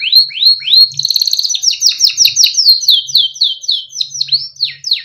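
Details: Small yellow Timbrado canary giving beautiful melodic song for training, rising upswept notes leading into a rapid rattle, then a steady chain of falling sweeps about four per second.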